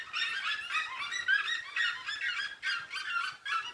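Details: Red-legged seriemas calling together at dusk on a rural smallholding give loud, harsh yelping notes in rapid bursts, several per second, rising and falling in a shrill, cackling chorus.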